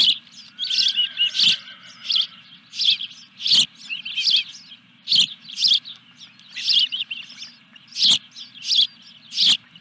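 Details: Ospreys at a nest on Dunrovin Ranch on 14 July 2021, during a fish delivery: shrill, sharp chirps in rapid bursts, about one every one to two seconds, with a steady low hum beneath.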